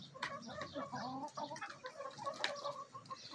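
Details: Backyard chickens, a mixed-breed rooster and hens of Marans, Araucana and Easter Egger breeds, feeding eagerly; soft overlapping clucks and short calls amid pecking taps and a low background hum.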